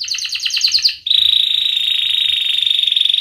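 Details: Canary singing 'gacor ngerek' as a lure for mute and young canaries: a choppy buzzy trill for about a second, then a long, steady, high rolling trill.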